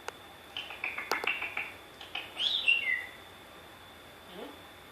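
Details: A Grey (African grey) parrot imitating its owner's voice gives a few clicks, a run of quick speech-like syllables, then a falling whistled phrase and a faint low rising note.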